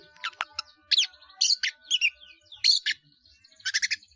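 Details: Long-tailed shrike kept caged, singing energetically with varied filler phrases for training other caged birds; scattered high chirps, squeaky slurred notes and short buzzy bursts separated by brief pauses.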